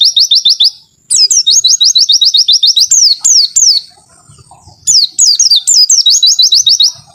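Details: White-eye in long 'wit-wit' masteran song: rapid trains of short, high, bouncing chirps repeated several times a second, broken by sharp downward-slurred whistles and two short silences.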